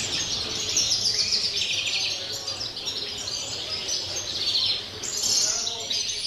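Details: 'Campero' style song of a European greenfinch, 30 December: rolling high twitters and trills in linked phrases, with a short lull before a renewed bright burst.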